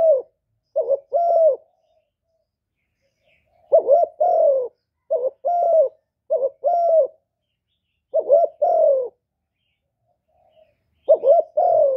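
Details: Kept spotted dove cooing, used to lure wild doves to a trapping place. Irregularly spaced paired coos, each pair a quavering note followed by a long descending one, in a quiet setting.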